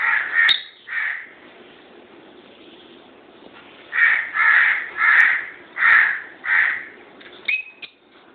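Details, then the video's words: Two pet lovebirds calling indoors: a run of about eight loud, harsh, screechy squawks, most packed into a quick burst in the second half, with quiet pauses between some calls. "Love Birds"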